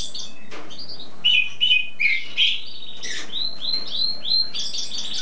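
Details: Cabresto songbird singing without stopping in spring: a few sharp chirps, a short sweet twitter, then a row of evenly repeated rising whistles, over quiet low noise.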